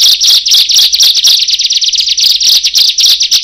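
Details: Several Bar-winged prinias calling together after one started: dense, rapid, piercing high chirps run into an almost continuous buzzy chatter, loud and close, with the voices overlapping throughout.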